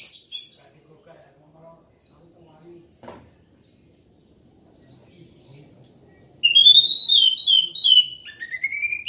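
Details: Orange-headed thrush in loud song: several seconds of near quiet with faint knocks and a few soft chips, then a sudden rapid run of high warbled notes rising and falling in quick succession.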